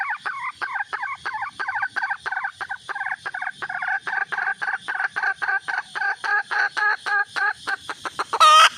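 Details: Red junglefowl hen calling for a mate: dense, rapid clucking that starts as rough doubled notes and settles into clean, quick repeated clucks, ending with a sudden loud harsh burst.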